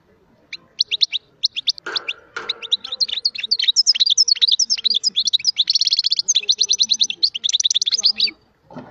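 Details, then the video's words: European goldfinch song, a fast, high, tinkling twitter of quick notes, more than two per second, swelling into dense liquid trills, with brief soft rustles in between. "اسمع لارموني"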